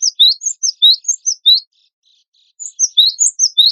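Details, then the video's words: Persistently singing wingko cinereous tit used as contest tutor song: a fast string of sharp, rising high chirps, a second of silence, then the rapid chirping resumes. "MASTERAN GELATIK BATU WINGKO GACOR FULL MATERI ISIAN"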